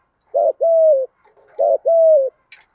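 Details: Two paired coos from a spotted dove used to stimulate other doves to call, each a short burst then a drawn-out steady tone dropping slightly at the end, with a faint click after.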